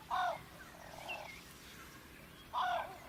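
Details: Fork-tailed drongo, or common drongo, in natural habitat in Africa, giving loud, harsh, nasal calls, one at the start and another near the end, with a fainter squeaky note between them.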